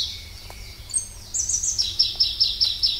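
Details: Pallas's leaf warbler (Phylloscopus proregulus), a migratory leaf warbler of mountain forests, singing: a high thin whistle, then a fast series of bright repeated notes about five per second, steady and evenly spaced, over faint background hum.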